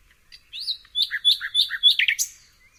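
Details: A nightingale sings a bright phrase of looping whistles, alternating high and lower slurred notes about every quarter second, ending in a sharp upward flourish.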